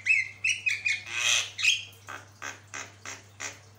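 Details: Javan myna sings a master song: a few short, level whistles repeated quickly, a loud rasping burst, then evenly spaced scratchy chirps, about two or three each second.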